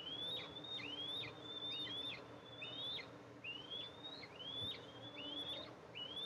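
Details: Eastern imperial eagle mother arriving to feed two eaglets at a camera-watched nest, 14 July 2024. High, piping whistles rise and then snap downward, coming in a quick, uneven series of roughly seven or eight, with faint squeaks above them.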